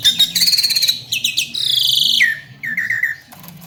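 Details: Javan myna training song: a loud run of rapid rattling notes, then a harsh buzzy stretch dropping into a whistle, followed by a few quick wavering whistled notes, with a low hum beneath.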